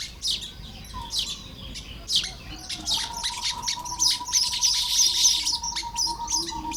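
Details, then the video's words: Baya weaver building its nest on a Lopburi, Thailand morning, 1 May 2026. Fast high chattering chips run through the clip over a long, steady, mid-pitched tone that holds from the middle onward. "เสียงนกกระจาบทำรัง ยามเช้า"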